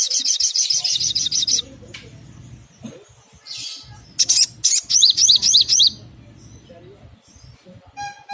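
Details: Little spiderhunter, played as a lure to stimulate calling, gives fast runs of high metallic chips and repeated upslurred notes, about four per second, in quick bursts separated by short pauses.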